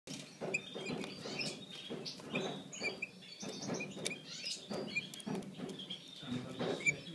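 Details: Five-day-old brown pastel bullfinch chicks, a captive colour mutation, give soft high chirps in irregular bursts over steady low rustling and shuffling.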